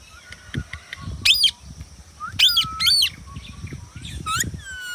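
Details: Pet Indian ringneck parakeet giving loud harsh screeches in short bursts, each sharply rising and falling, with softer whistles and faint tapping noises between.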